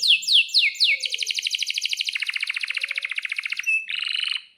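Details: Canary song used as a lure to make other canaries sing: several sharp down-slurred notes, then a long steady roll of even pulses, a brief clear whistle and a closing chattering trill.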